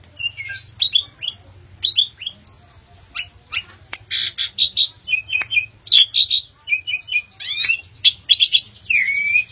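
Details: An Asian pied starling sings a busy, jumbled medley of bright whistles, slurred upward notes and harsh squawky chatter, with barely a pause.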